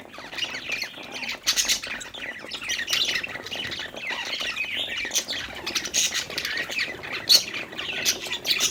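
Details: Happy budgies at play give a continuous chattering mix of harsh squawks and quick warbled chirps from more than one bird, with louder bursts scattered through the stretch.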